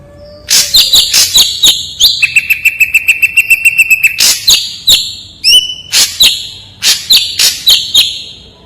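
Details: Ashy drongo (Dicrurus leucophaeus) sings loudly and clearly in quick, varied phrases: sharp metallic chips, ringing high whistles and a fast buzzy trill, several notes each second.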